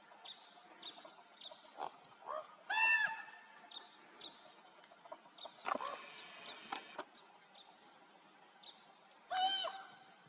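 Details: Common ravens calling in flight, recorded 30 July 2024: a few loud, hoarse calls with rich harmonics, one near the start and one near the end, separated by quieter faint calls and a burst of broad rushing noise midway.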